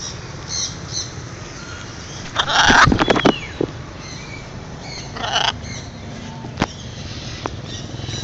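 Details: Macaw in morning free flight, 2012, giving a couple of harsh, raspy squawks, one long burst and a shorter one a few seconds later, over a quiet outdoor background with faint clicks.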